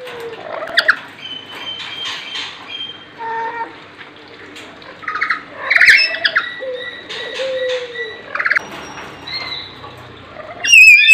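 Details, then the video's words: Lory calls: harsh squawks, nasal notes and short whistles at irregular intervals, with a sharp piercing screech at the end. "suara burung Nuri"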